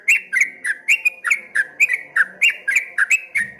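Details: Streak-eared bulbul (trucuk kebo) in rolling, wave-like song: loud, clipped whistled notes with a downward slur, repeated rapidly about four per second in an even, chattering run.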